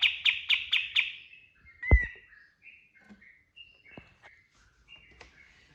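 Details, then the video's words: Kapas tembak giving training lure song: four quick high chips open the phrase, followed by a loud slurred note and a scattered series of soft, separate whistles at varied pitches, with a couple of low taps. "PANCINGAN BURUNG KAPAS TEMBAK GACOR FULL TEMBAKAN TERBAIK 2025"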